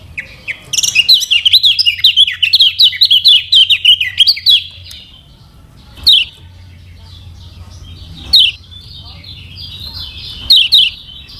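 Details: Lombok lemon-bellied white-eye song, used to prompt other birds to sing: a fast, high, twittering warble of rising and falling notes for about four seconds. Brief sharp chirps follow, roughly every two seconds, over a low steady hum.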